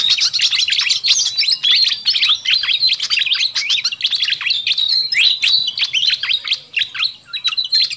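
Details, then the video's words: Pied fantail (sikatan kipas), a noisy lure recording meant to attract wild birds: dense, overlapping high chirps and short sweeping whistled notes that pour out almost nonstop for eight seconds, with a faint low hum underneath. "Suara Pikat Burung Sikatan Kipas RIBUT"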